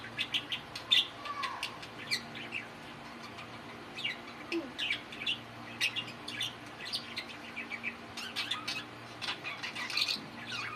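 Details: Several male budgerigars kept as pets give rapid chirpy chatter: clicky squeaks, short whistled notes and scratchy warbles, thickening into denser bursts toward the end, with a soft low hum underneath.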